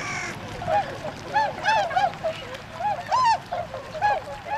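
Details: Wintering Tundra swans at a retention pond in Azumino, Nagano Prefecture, Japan, February 2013, heading out to forage in nearby rice paddies; bugling, arched honks repeat about every half second, several birds overlapping.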